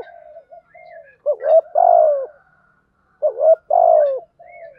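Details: Spotted dove calls, male and female, meant to train and lure birds. Two clear three-part coo phrases, each a short clipped note, a rising note and a long falling coo, come two seconds apart over softer steady coos and faint chirps.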